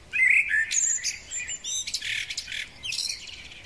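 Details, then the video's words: A male common blackbird's spring song: a brief mellow fluted phrase that breaks into higher squeaky, scratchy twittering, lasting a few seconds. "Kos samiec, piękny wiosenny śpiew"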